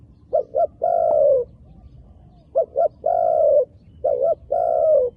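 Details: Three cooing phrases from a wild dove, each two short hoots and then a long, gently falling coo, spaced roughly two seconds apart against a quiet background.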